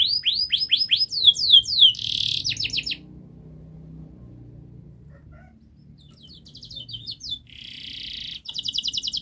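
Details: Canary tutor song played so that young canaries begin singing quickly. Fast curved note sweeps and a short buzzy burst are followed by a quiet gap, then the rapid trilling and buzzy rolls start up again.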